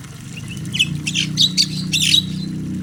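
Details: Pet starling kept for four years, close and loud: harsh, raspy squawks and scratchy chattering notes follow one another rapidly over about two seconds, over a steady low hum.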